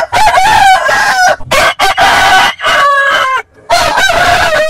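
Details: Several roosters from a compilation of heritage chicken breeds crow in quick succession, harsh harmonic crows with wavering pitch, overlapping and separated by brief breaks.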